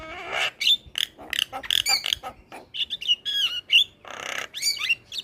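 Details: Varied Javan myna song from a training recording for other mynas: rasping squawks alternate with sharp whistled notes and slurs, with one harsh noisy burst near the end.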